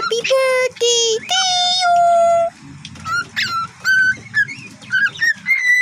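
A cockatiel whistles a learned tune, "Happy Birthday", in clear, sustained notes and chirps.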